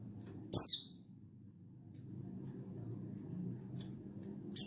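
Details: Buxtoni mountain white-eye calling a rival, a recording meant to trigger other white-eyes into singing, 16/8/22: one loud, very high downward-sweeping whistle, about four seconds of low murmuring background, then another whistle starts at the end.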